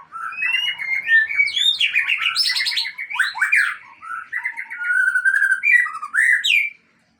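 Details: White-rumped shama of the Aceh type, a kept bird, pouring out its isian (fill-in song material): a rich, fast jumble of warbled whistles, sharp upslurs and chattering notes, ending abruptly in silence.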